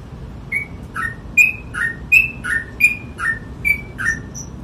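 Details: Sooty-headed bulbul in ropel-style song, a steady sequence of clean whistled notes alternating between two pitches, each note falling slightly, around ten notes over four seconds above a faint low hum.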